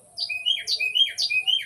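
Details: Male Carolina wren (Thryothorus ludovicianus) in Ocala National Forest sings loud, rolling three-note phrases about twice a second to the person who feeds it. It does this daily when it wants mealworms or attention. A faint low hum sounds underneath.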